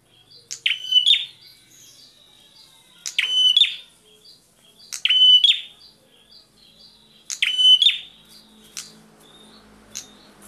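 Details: Bar-winged prinia, or prenjak, calling back and forth: four strong bursts spaced about two and a half seconds apart, each a rapid ticking rattle ending in a bright, steady whistle, with faint low noise near the end.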